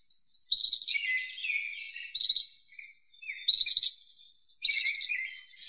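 Ashy minivet giving high, metallic jangling trills in short bursts about once a second, with only faint background hiss.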